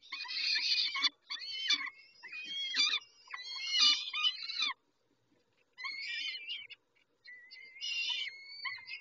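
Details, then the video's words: During a feeding at Dobra on 19 May 2021 at 11:48, peregrine falcons give a series of scratchy, whining screeches, loud at first, then a pause and quieter thin wails. "Sokoły - Dobra karmienie"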